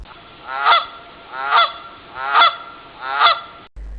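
A Canada goose gives four loud, nasal honks, one a little under a second apart, each a brief rising-falling blare.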